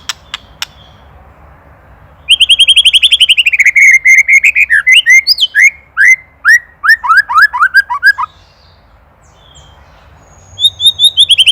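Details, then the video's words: Indonesian white-rumped shama used as a training master for songbirds: after near silence, a loud rapid series of whistled notes turns into a varied sequence of descending slurs and chatter, ending with quiet and a final burst. "LANGSUNG EMOSI | KETREKAN PREDATOR | MASTERAN MURAI | SHAMA BIRD INDONESIA"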